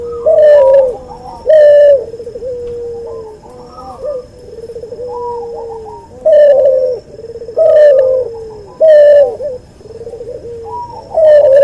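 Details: Cuhu, a hybrid of an albino white puter dove and a puter pelung, kept as a song bird, cooing in deep, rolling phrases with louder harsh bursts roughly every two seconds; indoor recording.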